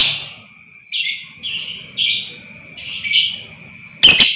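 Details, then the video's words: Lovebird sounds used as a lure to provoke long 'ngekek' trilling and excitement in other lovebirds: four bursts of shrill, buzzy chirps about a second apart, ending in a loud harsh shriek, over a steady high whine and faint low hum. "lb AKAN TERPANCING NGEKEK PANJANG,DAN GACOR Dengar Suara ini Super Ampuh Naikan Emosi Lovebird Pakum"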